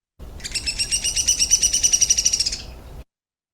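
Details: Downy Woodpecker, Kentucky, song: a high, rapid whinny or trill of about twenty sharp notes that speed up slightly and descend in pitch at the end.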